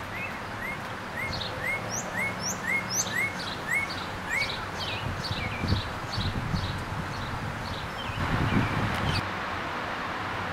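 Northern cardinal giving quick, short upslurred whistled notes, about four a second, among thin high chirps of other birds over a steady low rumble.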